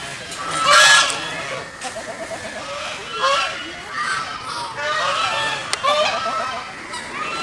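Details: Several geese swimming on a pond, making noise: a loud harsh honk early on, then a run of shorter nasal, cackling honks that overlap through the rest.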